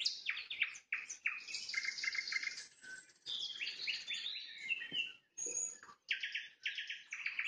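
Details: Sunset trills of a nightingale: bursts of rapid repeated notes and sweeping whistles separated by short silences, phrases starting abruptly.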